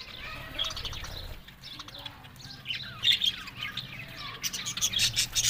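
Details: Budgerigars, described as happy and talking, give a busy stream of short chirps and sharp squawky notes, with louder bursts of chatter toward the end.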